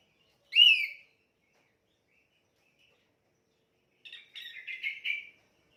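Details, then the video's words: Orange-headed thrush sings for training: one loud slurred whistle, a long silence, then a quick burst of rapid stuttering notes. "Kicauan Anis merah volume plus buat masteran"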